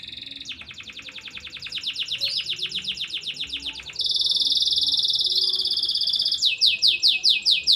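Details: Canary singing after its moult, offered as a prompt for canaries that have stopped singing and to help them learn: high, fast trills of rapid repeated notes, shifting to a dense buzzy roll, then a string of sharp descending notes.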